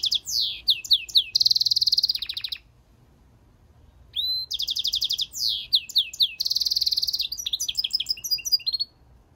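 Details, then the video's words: Goldfinch × canary mule delivers two long bursts of song split by a few seconds of quiet, each mixing descending twitters, fast metallic chip runs and rapid trills at a high pitch. "European Goldfinch mule singing - Jilguero Mixto"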